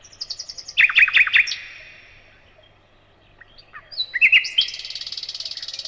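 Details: Nightingale song: a run of high thin repeated notes, then a burst of loud sharp descending trills, a silent pause of about two seconds, then rising whistles leading into a rapid buzzy repeated trill.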